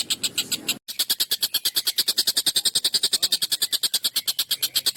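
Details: Collared kingfisher giving an excited, long, sharp and harsh call used as a tutor for training songbirds: a steady run of rasping, buzzy notes, about seven each second, broken by one short gap near the start.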